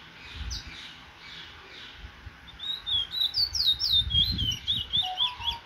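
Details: Cage-bred male chestnut-bellied seed finch (Trini bullfinch), almost out of moult, on 16/09/24: after a few soft opening notes, a quick, sweet warble of high slurred whistles at about four notes a second, over low rumbling.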